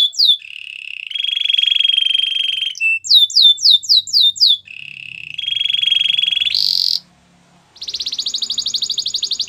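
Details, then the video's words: Canary song for training canaries: steady rolling trills alternate with rows of quick downward-swooping whistles, then a short harsh buzzy burst and a dense, high, rapid trill. "The most spectacular canary song!!"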